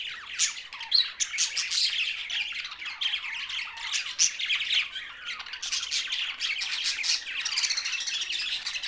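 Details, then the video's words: Loud budgerigar chatter from Larkana, Sindh: many birds giving rolling, scratchy warbles and squawks nonstop, with a few sliding whistled notes early on. "Budgies Australian parrot sounds"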